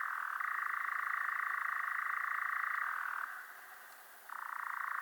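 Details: Sustained, rattling churr of a European Nightjar, an even, rapid purring trill. It slips briefly to a lower pitch, stops for about a second, then starts up again at the original pitch.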